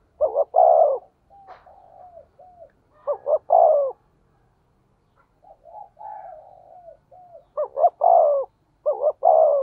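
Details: Decoy call of a spotted dove in the 'thổ sấm' style, for stimulating other doves. Four phrases of two clipped notes and a falling coo, separated by quieter wavering notes and pauses.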